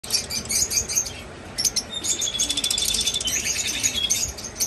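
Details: Breeding red-rumped parrots give rapid, high chirping and twittering calls, with several birds calling over one another in quick bursts.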